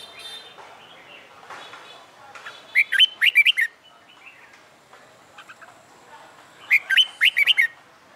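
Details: Caged red-whiskered bulbul, training for fighting song, sings two quick whistled phrases of chopped, rising and falling notes about four seconds apart, with softer chirps and faint background twittering between them.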